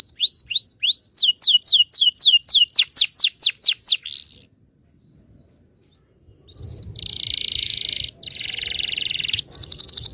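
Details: Canary long rolling song used as a lure to train young canaries to sing: rapid series of high slurred notes about four a second, a short gap, then a dense buzzy trill and a fast rattling roll.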